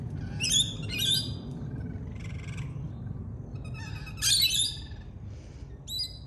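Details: Australian lorikeet, a parrot, uttering loud, shrill, rasping screeches in short clusters: a pair at the start, a burst near the middle, then fainter buzzy notes and a final screech.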